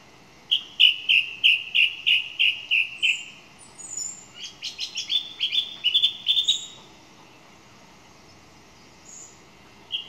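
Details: Song thrush in song: a bright phrase repeated eight times in a row, followed by a denser burst of varied, rapidly repeated notes, then scattered single high whistles.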